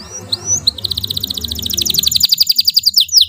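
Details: Domestic canary in loud song: brief whistles, then a long, even series of rapid chirped notes, over a low rumbling background noise.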